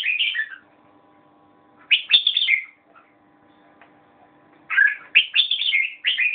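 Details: A red-whiskered bulbul sings three phrases of sweet, rapidly slurred whistles, the last a longer tumbling run of notes, with pauses of over a second between and a low hum in the background.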